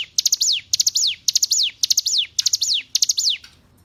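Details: Six hill prinia phrases, taken from a tutor recording for caged songbirds. Each is a quick cluster of piercing ticks followed by a swift downward slur, evenly spaced, before the song stops.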